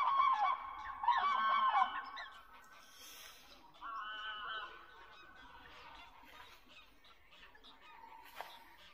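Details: Common cranes during their mating ritual at Gjennestadvatnet in Norway, loud trumpeting honks for about two seconds, a shorter rattling call near four seconds, then quieter background sounds.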